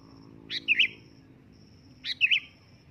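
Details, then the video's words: Sooty-headed bulbul gives two loud calls about 1.5 seconds apart, each a clipped rising note then a liquid, bubbly two-part chirp. A faint high steady tone and soft low rumble are also heard. "suara keras burung kutilang memanggil"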